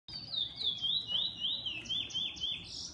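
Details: Kept bullfinch with an owner, singing a continuous run of high, sweet whistled notes that swoop up and down in linked phrases, about four per second, over faint low room hum.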